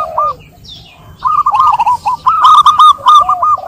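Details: Zebra dove cooing played to make a quiet bird sing. A few soft notes lead into a fast, continuous string of rolling, bubbling coos that grows louder toward the end.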